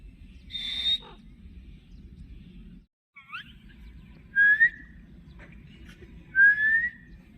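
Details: Pet Indian ringneck parrot with an Alexandrine companion: an opening harsh high screech, a short pause, then paired chirps and two bright rising whistles roughly two seconds apart against faint hum.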